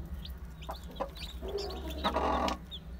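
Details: Day-old chicks, from a group listed as Aseel, Heera, Java and Muska breeds, give scattered high, down-slurred peeps. A burst of rustling and knocking comes near the end, over a steady low hum.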